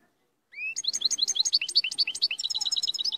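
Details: Strong European goldfinch (maqnin) song opening with a rising whistled note, then a continuous stream of quick, liquid twittering and trilled chirps at high pitch.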